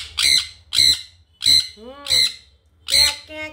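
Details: Young pet sun conure, its body turning yellow as it grows, that screams constantly, gives five harsh, piercing screeches, about one every three-quarters of a second, with a person's voice faintly between them.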